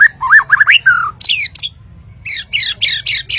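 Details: White-rumped shama, the Kalimantan murai batu, singing a rapid varied phrase: rising whistled slurs, then a pause and a run of sharp, repeated, downward-sweeping chattering notes about four per second, with a low hum beneath.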